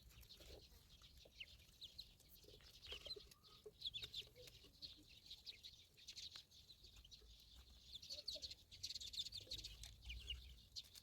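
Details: Ducklings peeping: a busy scatter of short, high chirps, some overlapping, with a faint low rumble beneath.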